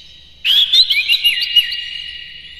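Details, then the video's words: A single burst of white-rumped shama song, played to excite another shama: a loud, varied whistled phrase of twisting high notes that fades after about a second. "KACER NGEPLAY GACOR NEMBAK-NEMBAK ISIAN, PANCINGAN AMPUH NAIKAN EMOSI KACER"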